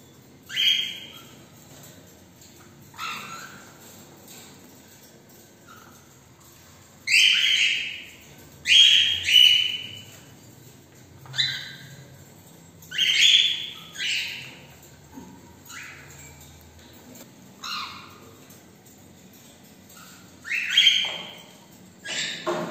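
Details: Cockatiels after a morning walk give loud, rising whistled chirps and squawks in short bursts every second or two.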